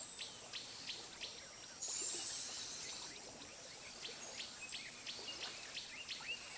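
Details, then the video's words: Costa's hummingbird, a species breeding in the arid southwest of the United States and northwest Mexico, giving a very high, thin whistled note that rises then falls, repeated three times about every two and a half seconds, with faint soft chirps from other birds behind. "Canto do Beija-Flor da Costa"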